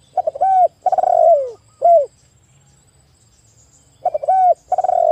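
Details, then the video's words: Zebra dove singing to stimulate stressed doves in the afternoon: clipped notes into a flat coo, a rapidly pulsed descending note, a brief curved coo, a quiet spell, then the stuttered start again. "Pancingan Sore, Terapi burung TEKUKUR stres drop mental macet bunyi jadi gacor ngayer kembali."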